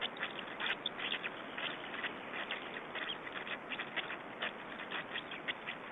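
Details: Black storks in Estonia at feeding time, 20 May 2012: steady scratchy rasping, many short bursts per second, over a noisy background.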